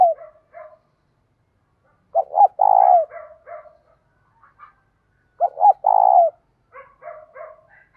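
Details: Spotted dove singing in the 'giọng thổ' style with 'thúc gù' phrases as a morning lure for wild doves. There are two strong coo phrases, each followed by soft, stuttering, chopped notes.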